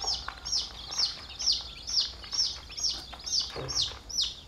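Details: A chick from a flock gives loud, clear, high peeps, each sliding downward, repeated roughly twice a second in a steady rhythm, with faint chatter from other chicks behind.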